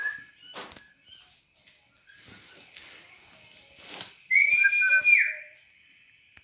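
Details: A white male cockatiel sings a loud, clear whistle that holds steady, then slides downward after soft chatter.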